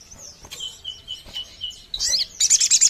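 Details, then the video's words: Sogon bird call used to attract birds: several thin, level whistled notes, then a short sharp chirp and a closing burst of about six rapid high notes. "YANG BIKIN SOGON SE KABUPATEN NGAMUK"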